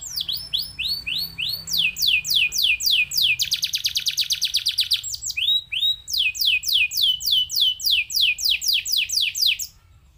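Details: Canary song played to stimulate other canaries to sing. High, rapid runs of downslurred whistled notes alternate with a fast, dense buzzing trill, then a return to steady repeated sweeping notes.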